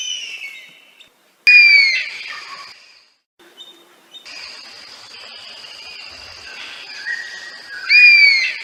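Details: Oriental honey-buzzard, Rajasthan: two loud, high, downslurred whistles, one near the start and one near the end, separated by abrupt breaks and quieter passages with a thin sustained high tone and scattered bird chirps.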